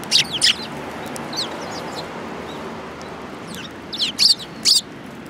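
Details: Sparrows gathered at food at a Tenmangu shrine, 22 January 2018: a pair of bright chirps opens, then soft scattered twitters, and a final run of three loud clipped chirps near the end over low ambient noise.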